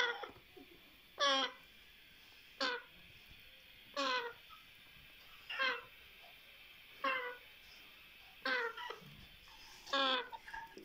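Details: Hungry captive African grey parrot chicks begging for food: loud harsh rasping squawks with stacked tones, repeated roughly every one to one and a half seconds, in a small indoor room with faint speech.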